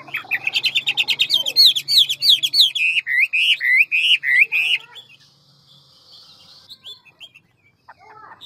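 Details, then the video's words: A handsome, large Hwamei performs quick ngũ trường forest-voice song with many voices. A rapid pulsing trill flows into loud, wavering, looping whistles lasting several seconds, then the song fades to sparse soft notes. "Họa mi ngũ trường giọng rừng mau mỏ nhiều giọng"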